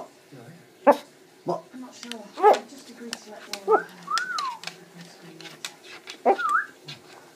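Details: A pet macaw chats and dances indoors, giving short voiced bursts of speech-like, nasal syllables and a rising-then-falling whistle.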